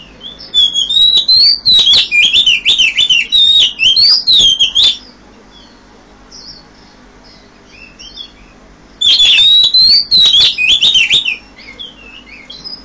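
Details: Oriental magpie-robin singing loudly at 5 a.m.: two bursts of rapid, varied whistled phrases with sharp chips and sweeping notes, repeated several times over four seconds, then a pause with faint soft notes before the song resumes.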